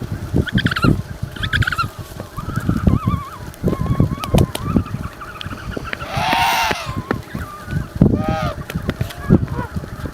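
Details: African penguin giving two brief harsh harmonic honks, followed by several wavering, warbling calls, a loud hissing whoosh midway, and a falling harmonic call, all over constant low-pitched rumble and knocking noise.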